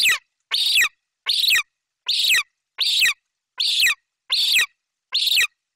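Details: Golden eagle chick vocalizing loudly for about five minutes before eating a magpie delivered by its mother in Bucovina; regular series of eight piercing, hoarse screams, each ending in a downward slur, roughly 0.7 seconds apart.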